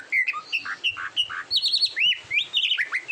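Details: Oriental magpie-robin, a kacer, in a training recording for competition birds: rapid run of whistled slurred notes, alternating low upslurs and higher rising whistles, with quick bright trills near the end.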